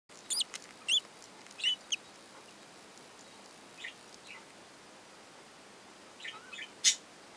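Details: Young budgerigars in a breeding box give short, thin, high chirps and squeaks in scattered bursts, with a sharper squeal near the end; otherwise quiet.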